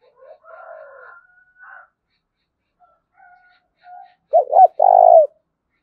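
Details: Spotted dove lure call: faint, thin, drawn-out tones at first, then one loud phrase near the end, made of two hooked notes and a long, mellow coo.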